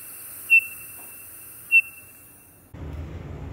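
Townsend's Solitaire gives two clear, high, pure whistled notes about a second apart, with a steady hiss in the background and a burst of rumbling noise at the end.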